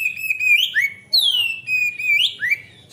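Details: Oriental magpie-robin singing steadily as a training lure for raw birds: bright drawn-out whistles, each falling then flattening, capped by quick rising slurs, phrases following closely with a small lower note between.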